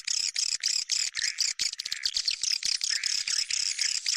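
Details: Rapid, pulsing swiftlet chatter, 'bintang utara' style, said to attract swiftlets: very high, clicking twitters repeated in quick, even bursts for about four seconds.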